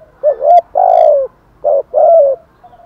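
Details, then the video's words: Spotted dove cooing in the Vietnamese 'kích bổi' style, with the 'giọng thổ thúc gù' urging-coo voice: four low, mellow hooting notes, two close together, a short pause, then two more, the last note longest and slightly falling. "tiếng chim cu gáy kích bổi, cu cườm giọng thổ thúc gù, cu cườm thúc gù hay"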